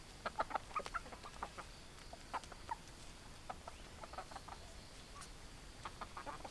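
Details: Chickens clucking: short, clipped mid-pitched clucks in a quick cluster at the start, then scattered single clucks spaced irregularly over a steady faint background hum.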